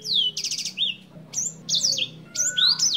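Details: Senger bird song, 'gacor' with clear voice, meant as training material for songbirds: bright high whistled sweeps and rapid buzzy trills, descending slurs, with short gaps between phrases and a faint low hum beneath.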